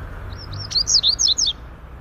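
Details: Double-collared seedeater (coleiro laranjeira) singing the Greek song type: one quick high phrase of about eight sharp, slurred whistled notes that rise and fall, lasting under a second, over a soft low background hum.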